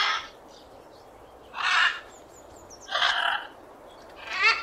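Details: Parrot uttering rough, buzzy squawks roughly every one and a quarter seconds, with faint high whistled notes between them; recording presented in 8D audio.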